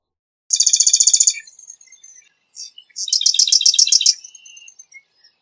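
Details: Marsh wren with a high, rapid trill, a short pause filled with faint twitters, then a second stuttering rattle of repeated notes trailing into a thin, soft buzz.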